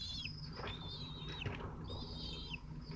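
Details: Young falcons, twelve days old, feeding on prey at Théding on 22 June 2023. Three drawn-out high whistles, each ending in a short drop, sound over constant low background rumble and scuffling.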